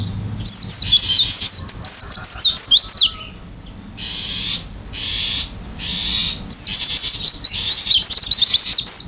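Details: Oriental white-eye singing gacor isian with beak wide open. Fast, high zigzag warbling for three seconds, then three harsh buzzy blocks separated by pauses, then the quick twisting whistles resume to the end.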